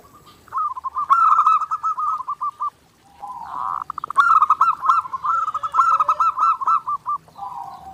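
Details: Nonstop zebra dove singing for daily practice: two long phrases of rapid, rolling trilled coos with accented bright notes. Each phrase starts with a low purring burr, and there is a brief silence between them.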